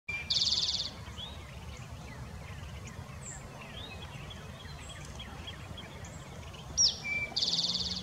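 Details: Eastern Towhee singing twice at Blandair Park, Maryland, USA. Each song is a sharp introductory note followed by a fast, buzzy high trill, over low rumbling background noise and faint chirps from other birds.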